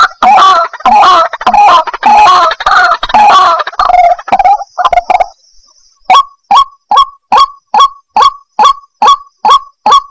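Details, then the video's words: White-breasted waterhen trapping lure: a dense, loud, rasping croaking chorus, a brief silence, then a regular series of sharp single notes about two per second. "Suara Burung Ruak Ruak"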